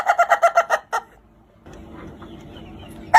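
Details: Laughing chicken, the Ayam Ketawa breed, delivering a quick run of seven clipped, laugh-like crow notes within one second, followed by quiet background noise and a final note at the end.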